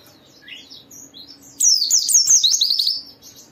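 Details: White-eye song used to make other white-eyes sing: soft distant twitters, then a sudden loud one-and-a-half-second burst of very high, fast, wavering chirps that fades out.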